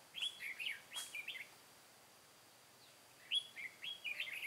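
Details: Caged red-whiskered bulbul decoy from Cao Phong, used in a trap to lure wild birds, 23 August 2018: two bursts of bright, warbled phrases, each a rising whistle followed by quick chirpy notes, separated by a pause of about two seconds.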